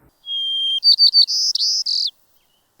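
White-crowned Sparrow song: a clear, steady whistle, then three quick buzzy notes and a burred trill, all high-pitched, about two seconds long.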